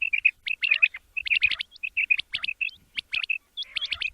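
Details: Male quail calling in the morning, recorded for hunting: rapid bursts of bright chirped notes, many with short upward flicks, packed into quick clusters separated by brief gaps, continuing steadily throughout.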